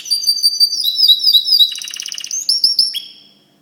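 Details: Song of a white canary: high whistled slurred notes in quick succession, a brief rapid rattling trill, then several clear sliding whistles before the phrase fades.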